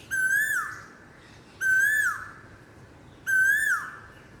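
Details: Three loud, ringing koel whistles, evenly spaced about one and a half seconds apart, each rising gently and ending in a quick downward slide, against soft background noise.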